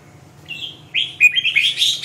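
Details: Red-whiskered bulbul in a quick, loud, bubbling song: one short whistled note, then a run of rising and falling slurred warbles that grow busier toward the end.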